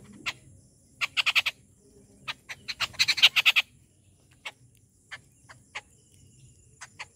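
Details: Rufous treepie at a home feeding in the morning, giving short clusters of dry, clipped rasping notes, three to six in quick succession. Single scattered notes fill the quieter gaps between clusters.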